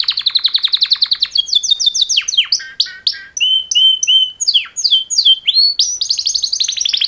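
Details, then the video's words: Two male canaries giving a mating song: a fast rattling trill of repeated notes, then a sequence of clear whistled swoops and ringing phrases, each note type repeated several times. Loud and clean with no other sounds. "Super Two Males Canary Mating Call Songs"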